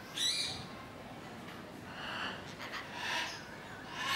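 Sulphur-crested cockatoo giving harsh, grating screeches, about four raspy bursts in four seconds, rough and broad-toned rather than whistled.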